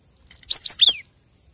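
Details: Cinereous tit phrase used to train caged birds: two bright upswept notes and a drawn-out descending whistle in quick succession, with faint soft ticks just before.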